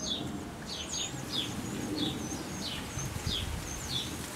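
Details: European wren chicks calling during the last feedings by the adults before fledging; the young left the nest hours later. Short, high, downward-sliding chirps repeat about twice a second, with thin high whistles above them.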